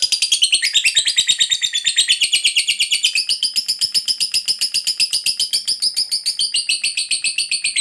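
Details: Lovebird, a fighter-type bird, in a long ngekek chatter used to provoke other lovebirds: a fast, continuous buzzy trill of shrill notes, about six per second, sustained for eight seconds with little pause.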